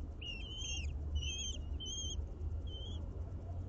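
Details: At an urban common kestrel nest on a ninth-floor window box in Aguadulce (Almería): four or five separate long, slightly wavering whistled calls spaced about half a second apart, over steady low hum.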